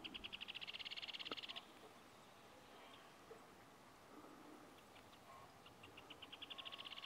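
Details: A Rufous hornero at Chaunaca, Sucre, Bolivia in April 2023 gives fast, ringing bursts of sharp notes lasting about a second and a half, then starts again after a pause, over faint background hiss.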